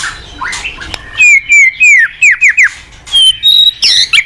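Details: White-rumped shama singing actively as training song for untrained birds: rapid series of clear, downward-slurred whistles, about three per second, ending in high piercing notes and a rough burst.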